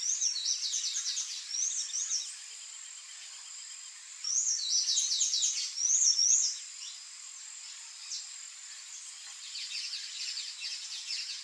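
Palm Tanager song: high, squeaky, rapid chattering phrases in bursts, with a faint hiss of insects or background noise throughout.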